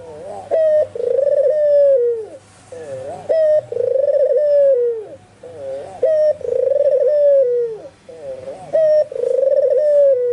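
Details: White albino dove in full voice; spotted doves and zebra doves around it reply. Four repeated cooing phrases, each a short rising note followed by a long vibrating purr that slides down at the end, spaced roughly two to three seconds apart.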